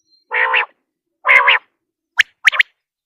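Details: A quail, a recording used as a hunting lure in Pakistan, gives two harsh, nasal, buzzy notes about a second apart, then two quick, sharp, rising whistles close together. No other sounds.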